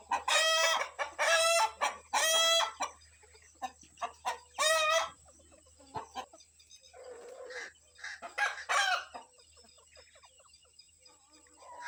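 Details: Morning scene of a rooster with his hens out foraging, the rooster agitated by kites overhead and warning his family to hide; three strong harmonic squawks open, then one more, followed by softer scattered clucks and quieter calls over a steady hum.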